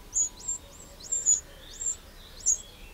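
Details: Eurasian wren calling in a garden in Burgundy, France, on 2 June 2023: sharp, very high, downslurred notes, single or paired, repeated irregularly, with a quiet background.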